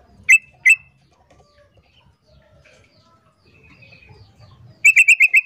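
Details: Sooty-headed bulbul female calling, the male answering: two separate sharp single notes, a quiet gap with faint background sounds, then a quick burst of five or six clipped notes.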